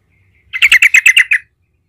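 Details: Yellow-vented bulbul (trucukan) in energetic rolling 'gacor ngerol' song, used as a lure to make other bulbuls answer: one burst of about eight quick, bright chattering notes lasting under a second, then silence.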